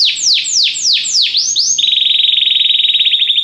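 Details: Belgian canary singing in a training recording: five or six slow, swooping downward notes give way to a very fast, even, metallic trill that rolls on steadily.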